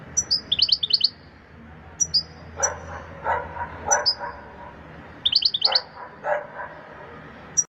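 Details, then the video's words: European goldfinch giving short clusters of sharp, high twittering chirps and single tweets at irregular intervals, mixed with lower muffled knocking sounds and faint hum in the background. "Goldfinch bird singing the best chirping sounds"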